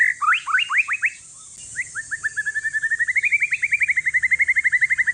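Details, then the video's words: Aceh forest-stock white-rumped shama, aged one year, singing as encouragement for silent shamas: a few sharp rising whistled strokes, a brief pause, then a long steady train of quick notes gently climbing and levelling off. "Si paling ribut murai trah hutan aceh COCOK UNTUK PANCINGAN"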